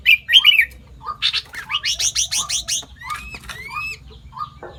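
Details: Mimicking sooty-headed bulbul, credited with copying more than five bird species: squeaky chirps, then a fast buzzy series of rising notes, two long clear upslurred whistles and a final soft phrase, with a quiet low hum underneath.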